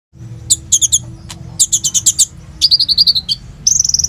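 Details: Sunbird song used as a lure to set other sunbirds singing, phone-recorded: fast bursts of high, sharp tweets and trilled notes in quick clusters, then a rapid run of bright chips, over a faint low hum.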